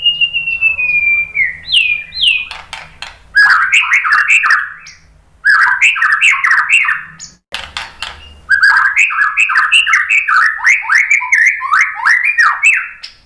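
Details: White-rumped shama song used as a lure to provoke other birds to sing: a long whistled note sliding down, then bursts of rich, rapid warbled phrases with sharp clicks, separated by short pauses.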